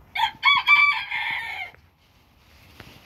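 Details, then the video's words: Pet Booted Bantam rooster crowing: a single short, bright crow of about one and a half seconds, with stuttered opening notes and a drawn-out, slightly falling ending, then quiet background. "my rooster crowing"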